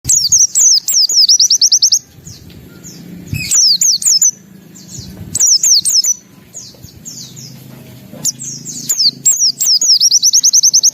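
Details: Singing white-eye, lively and in full voice, pouring out high, fast chirping song: bursts of rapid repeated downslurred notes alternating with varied twittering phrases, pausing briefly between bursts; a low hum underneath.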